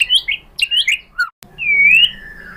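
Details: White-rumped shama song used as a lure to provoke other birds to answer: bright slurred whistles and rising chirps, a brief click and pause, then one long drawn-out whistle gently rising before falling.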